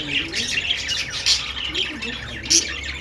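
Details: A brief stretch of budgie song: fast scratchy chirps and buzzy squeaks, with two sharper high accents, one around the middle and one near the end.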